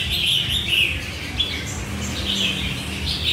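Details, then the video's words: Red-whiskered bulbuls, likely caged and being picked out for purchase, give bright, quick chirping and warbled phrases that overlap continuously at a high pitch, with a low steady hum underneath. "Lựa mua chào mào"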